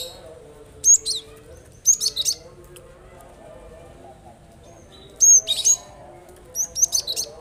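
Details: Cinereous tit (gelatik batu) song, used to coax birds reluctant to sing: short bursts of very high, thin whistled chirps in quick clusters, separated by pauses of about a second or more, with a low background hum.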